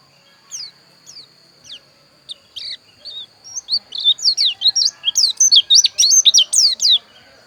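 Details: Pleci dakun (Javan white-eye) from Pupuan, Bali: a few spaced, thin downslurred chirps open the song, then it quickens into an excited, tumbling stream of high twittering notes before stopping abruptly.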